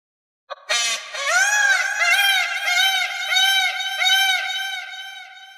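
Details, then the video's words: A peacock gives a loud, nasal, wailing call in quick repeated notes, about one every half second, rich and ringing, with nothing else heard. "Peacock(मोर) Sound"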